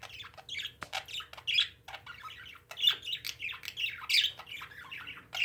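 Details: Pet parakeets in a small room keep up busy, warbling chatter of scratchy chirps and squawks, rising and falling in loudness, with a faint background hum.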